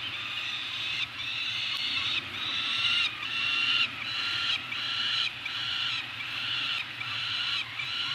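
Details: Food drop for a pair of Peregrine falcons on Anacapa, 28 May 2018: rasping, plaintive calls given roughly every second, steady and insistent, with a low continuous hum behind.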